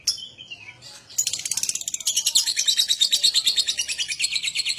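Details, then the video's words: Lovebird song meant to prompt other lovebirds to sing, opening with a thin descending whistle, then breaking into a loud, fast chattering trill of high harsh notes repeated roughly three times per second. "Pancingan Love Bird Agar Cepat Ngekek"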